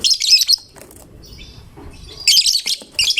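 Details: Prolific-singing fighter lovebird, its song drawing other lovebirds to join in; loud shrill rasping chatter opening and closing the stretch, with a quiet pause between.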